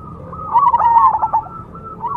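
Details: A single short burst of fast, bubbling coos from a perkutut cemani zebra dove rises out of quiet room tone and fades within about a second.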